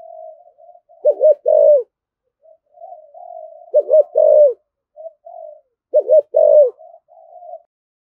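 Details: Spotted dove delivering strong rustic-style coos, a phrase of two rapid hooked notes and a falling low coo repeated three times about two and a half seconds apart, softer murmurs between.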